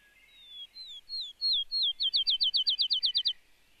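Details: Field sparrow singing on its territory in a regenerating clearcut in Maine: a few clear, slurred whistled notes that speed up into a rapid, even trill of about a dozen bouncing notes, against a quiet background.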